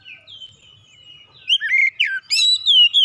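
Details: Stress-relief song of an Oriental magpie-robin; opens with a soft drawn-out descending whistle, then loud, crisp rising and falling whistled notes in rapid succession.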